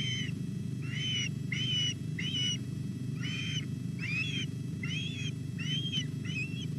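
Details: At a Welsh reservoir nest, osprey chicks call during a morning fish delivery on 27 July. Clear piping whistles, each slightly arched and repeated roughly every half second, run throughout above a constant low hum.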